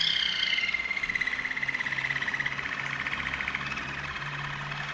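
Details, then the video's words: Waterslager Malinois canary from Veliko Gradiste, Serbia, singing: a clear whistled note slides gently downward, then turns into a fast, even, bubbling roll of rapid pulses that carries on steadily to the end, with a low hum beneath. "Waterslager Malinois Canary"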